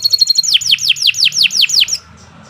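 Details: Canary of the Kenari Nusantara type singing continuously: a quick trill of high notes gives way to about eight loud, sweeping downslurred whistles, evenly spaced, then stops abruptly.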